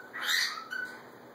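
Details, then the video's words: One harsh, drawn-out squawk from a pet macaw interacting with its mate, followed by a short softer note, in a quiet indoor setting. "More Macaw Pair Interaction"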